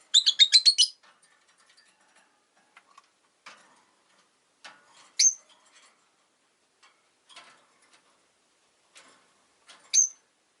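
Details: Caged rosy-faced lovebirds, five kept by a window, chirping in winter: a rapid stuttering run of about eight high chirps opens, followed by soft clicks and scuffles and two sharp piercing calls spaced several seconds apart.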